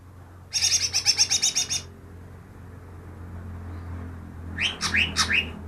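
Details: Recently caught greater green leafbird said to copy ten other bird species; a rapid high rattling trill lasting over a second, silence, then four quick rising chirps in a jerky series, with a low steady hum underneath.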